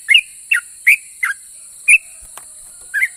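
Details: Sooty-headed bulbul in ropel song said to provoke other bulbuls to reply: six loud slurred whistles in about three seconds, one a quick doublet, plus a faint click and steady high hiss.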